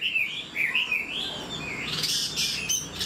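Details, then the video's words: Old wild-caught Chinese hwamei, caged and about 90% tamed, singing loud, clear whistled phrases that glide up and down in smooth wavy slurs, ending in brighter, sharper notes. "Họa mi già rừng chất giọng cực hay. tốc độ mỏ nhanh"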